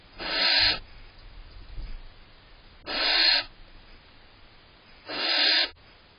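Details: Three rough, wheezing screeches roughly two seconds apart come from a female barn owl irritated as her mate eats cached prey in the nest box, June 18th, with faint shuffling between calls.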